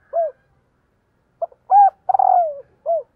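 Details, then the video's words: Female spotted dove cooing to stir up males; one full phrase of short clipped note, loud rounded double coo, long wavering coo falling in pitch, and a final short coo, with silence between. "CU GÁY MÁI KÍCH TRỐNG"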